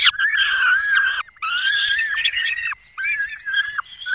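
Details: At a Dolina Baryczy nest on 5 May 2022, a male peregrine falcon delivers a small bird and the female feeds the young; drawn-out, grating wails in three or four bursts separated by brief gaps.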